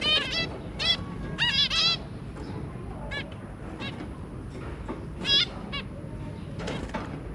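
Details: Zebra finches, a breeding pair with three babies, 23 January 2022: bright nasal honking beeps in clustered bursts, including a rapid run of four, separated by quieter spells of soft calls.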